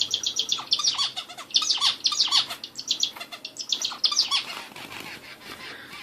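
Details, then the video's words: Bulbul song of bright, tightly packed high twittering bursts mixed with lower curved whistled notes, delivered in quick phrases that fade slightly toward the end. "hint bülbülü sesi"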